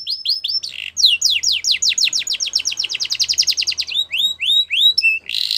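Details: Yorkshire canary training song for young canaries: a few spaced falling whistles, then a long accelerating roll of downslurred notes, ending with separate swooping whistles and a short buzzy burst.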